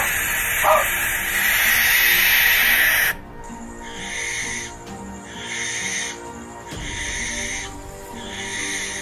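A Barn Owl gives a harsh, hissing screech lasting about three seconds, followed by quieter music with repeated tonal notes.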